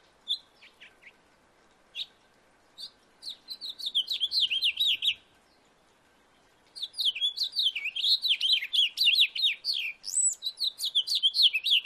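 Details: House finch in a backyard giving a few separate chirps, then two bursts of rapid warbling song, the second longer, made of bright slurred notes with buzzy upward sweeps near the end.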